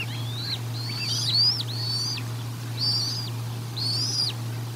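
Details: Bald eagle calling at the Decorah North nest during feeding, 1 April 2022: repeated high, thin whistled notes, each arching up then sliding down, in four bursts about a second apart, over a steady low electrical hum.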